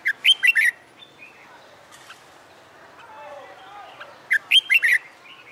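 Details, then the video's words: Trained for fighting song, a caged red-whiskered bulbul caught from the wild gives a fast warbled phrase, a quiet gap with faint lower notes, then a second matching burst of bright whistles. "Luyện Chào Mào Hót Đấu"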